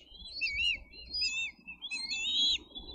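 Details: Bald eagle eaglets in a Dade County nest, 22 May 2023, competing for fish; thin, quavering high squeals, rising and falling, over steady low rumbling noise.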